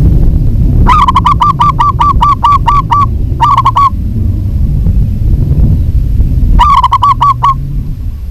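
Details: Local zebra dove, female calling a male: three bursts of rapid, evenly spaced cooing notes, eight to ten in the first, four and seven in the later ones, over steady low rumbling background noise.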